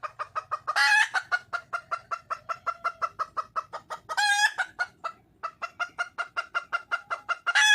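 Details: Wild red junglefowl hen calling for a male: a fast, steady run of sharp clucks, about four a second, broken by three loud, harsh, grating squawks.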